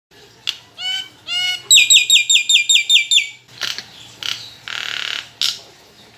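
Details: Caged Nias hill myna singing a full varied repertoire: rising whistled notes, then a fast run of bright repeated high chirps, followed by harsh raspy bursts and a broad hissing note.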